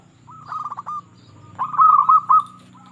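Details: Local zebra dove singing as a lure for other perkutut: two short runs of quick, slightly buzzy cooing notes with a low background hum.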